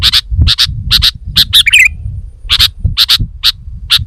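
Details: Sooty-headed bulbul chattering energetically: rapid pairs of harsh chip notes with a short rippling twitter midway, backed by low-pitched background noise.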